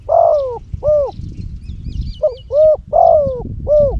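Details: Spotted dove used as a decoy for luring wild doves in Cambodia: loud hollow coos, each short note falling slightly, delivered in quick uneven series of about six, over a low rumbling background.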